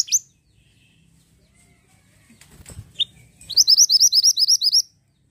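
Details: Pied bushchat singing eagerly: a brief high note, then a few soft clicks and thumps, followed by a rapid string of about ten matching high, sharp, hooked notes.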